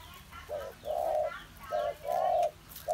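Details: Spotted dove recorded on 21 August 2021, giving steady low hooting coos: a short note followed by a longer drawn-out one, repeated in close pairs over a faint background hiss.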